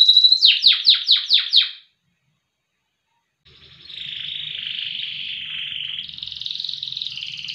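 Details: Loper canary of contest quality: a burst of six quick falling whistles, a pause, then a long buzzy, wavering tone held for several seconds.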